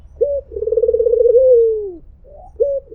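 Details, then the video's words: White Barbary dove producing a single melodious "mpuk jeruuu": a short, crisp opening note, then a vibrating drawn-out coo that slides lower before stopping, followed by another short note. "SUARA BURUNG PUTER PUTIH || MPUK JERUUU || SUARA BURUNG PUTER MERDU"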